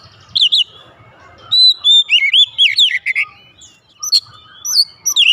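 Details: A caged oriental magpie-robin kept at home sings loudly in reply: varied whistled phrases with fast zigzag slurs, sharp high chips and short trills, delivered in quick successive bursts.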